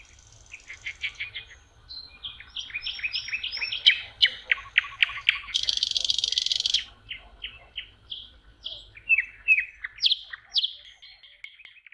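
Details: Nightingale in song at a lakeside in May, spring: rapid rattling series of sharp notes, a loud buzzy burst, then scattered whistled and chirping phrases, all high-pitched and varied.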